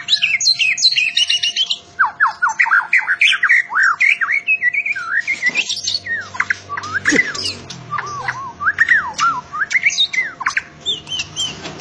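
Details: A loud-voiced white-rumped shama, a contest winner, pours out a long, varied song of sweeping whistles, swooping slurs and harsh squawky notes in quick succession. A steady low tone hums underneath.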